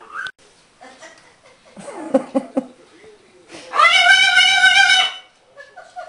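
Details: Captive green-winged macaw indoors, male, playing with learned words: quick light-voiced hello-like syllables, then a loud harsh drawn-out squawk lasting about a second, with short quieter chatter after.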